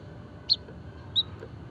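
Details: A White-headed munia, used as a stimulation and training call for other finches, gives two thin, very high piping notes about 0.7 seconds apart over a soft, low background hum.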